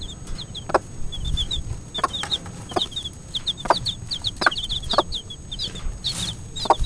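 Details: Four-day-old Cuckoo Marans chicks peep in short, high, downslurred cheeps, several birds overlapping in scattered bursts, over low rumbling background noise and occasional soft knocks.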